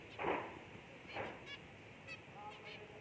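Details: Albino zebra finch chick with two loud, nasal, honk-like calls about a second apart, followed by softer, thinner calls; quiet indoor hiss behind.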